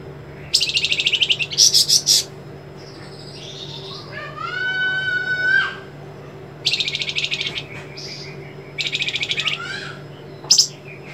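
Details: White-rumped shama master recording for training songbirds, with sharp trembling phrases; loud dense bursts of high rattling notes, a rising harmonic whistle, then more rapid chattering bursts and a final brief note, steady low hum underneath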